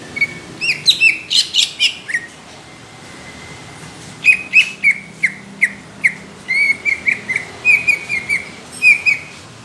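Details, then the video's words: Greater green leafbird singing rough, heavy 'tembakan' for judges: an opening rattle of harsh notes, a thin sustained whistle, then a steady run of short downslurred whistled notes in quick succession. "CUCAK IJO INCARAN JURI | TEMBAKAN KASAR DAN TEBAL"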